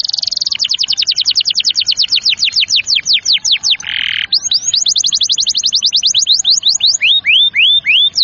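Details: Canary singing to stimulate juvenile and silent canaries: long runs of quick falling whistled notes, a brief harsh buzzy burst, then more rapid sweeps ending in slower rising-falling whistles.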